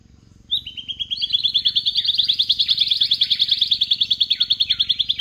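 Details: Adult male Silvered antbird singing at Altamira, April 2024: a long, fast, even trill of high sharp notes, steady in pitch and lasting nearly five seconds, over faint low hum.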